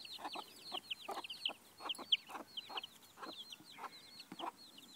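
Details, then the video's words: A green-egg-laying broody hen broods Amrock and a few Marans chicks alongside another broody hen; dense high, downslurred chick peeps repeat rapidly, with short low clucks every half second or so beneath them. "Grünleger Glucke gluckt"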